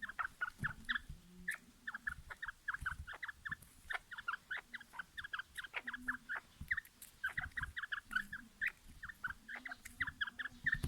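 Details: Quail readied for fighting, local name batair, giving rapid, steady series of short, sharp, downward-slurred mid-pitched notes, several per second throughout, with brief lower humming tones underneath.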